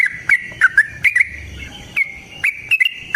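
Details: Yellow-vented bulbul in fighting-style rapid song meant to make another bird sing; scattered short liquid whistles with sharp clicks, separated by brief gaps, over faint low background hum.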